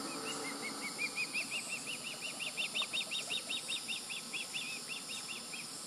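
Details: Young fledged Osprey near the nest, July 16, 2020, calling in a continuous run of loud, high, arched chirps that rise slightly in pitch, around three per second, over a hissing background.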